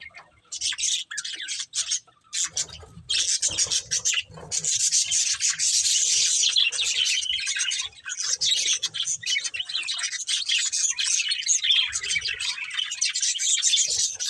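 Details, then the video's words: Breeding pair of budgerigars chattering steadily, a dense stream of high, scratchy chirps and warbles that rarely pauses, with brief gaps near the start before the chatter thickens and runs on continuously. "Cute Budgies Chirping Sounds"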